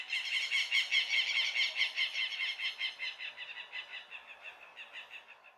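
A Southern Lapwing gives a rapid series of harsh, strident notes that slowly fade away.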